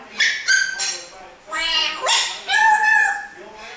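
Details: African grey parrot kept as a pet in Australia, mimicking Jingle Bells and more at Christmas: squeaky, voice-like phrases in short bursts, some sliding upward, with pauses between.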